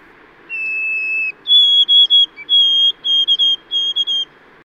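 White-throated Sparrow song: a pure, mournful whistle, one held lower note, then a higher note broken into repeated triplets, over a low steady hum.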